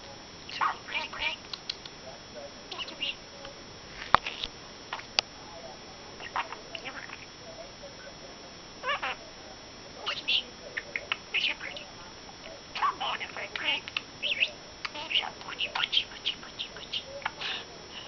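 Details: Enzo, a 1-year-old male pet budgerigar (Melopsittacus undulatus), chatters in a rapid, scratchy voice, mixing imitated speech with sharp chirps and squeaks.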